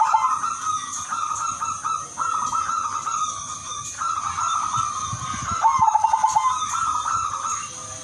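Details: Udanmas Silver zebra dove in full, melodious song meant to draw in other zebra doves; several phrases of rapid stuttering coos, with a fast rattling burst near the end, set against a steady high-pitched hiss.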